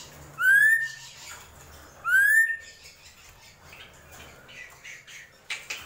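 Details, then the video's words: Two bright rising whistles from a drongo, about one and a half seconds apart, then quieter scratchy chatter and a short harsh note at the end. "SRIGUNTING KRANTIL | GENTOLANG"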